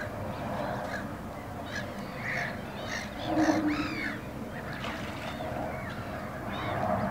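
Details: Two Eurasian coots feeding their small chicks; several short arched calls, some thin and high, others lower and fuller, scattered unevenly over steady background noise.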